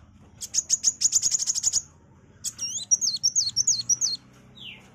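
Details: Kolibri wulung, a sunbird, in loud song: a fast metallic trill of about a dozen notes, then a pause and a run of twisting, swooping high whistled notes, over a faint low hum.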